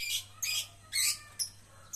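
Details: Javan myna kept and trained to sing readily, giving four separate harsh, hissy bursts about every half second, each a short grating screech. A steady low hum runs underneath.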